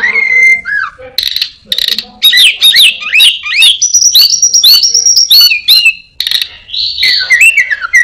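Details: Orange-headed thrush, a clever caged songbird, singing a rich varied mimicry song: high whistled slurs, rapid chirps and buzzy notes around upper pitches, quick changing phrases with brief pauses between, loud and close.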